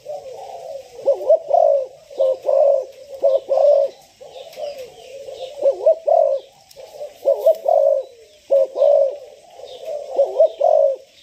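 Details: Young spotted dove, six months old and newly ready for training, cooing steadily in paired, soft, hollow notes repeated throughout, with faint higher twittering behind.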